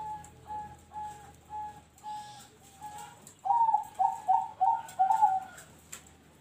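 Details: Zebra dove (perkutut) with a noklak nekung song: soft, evenly spaced coos at first, then a louder run of quick, warbling coo notes, all at the same fairly high pitch.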